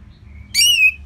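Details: Orange-headed thrush, a kept bird, giving a brief loud phrase: a sharp high burst with a steady whistled tone held below it, after near silence.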